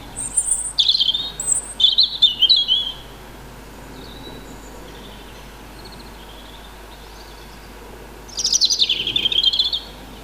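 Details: A European robin singing loudly near a house in the evening gives thin, high, tumbling warbled phrases in two bursts, with a second, distant robin replying between them.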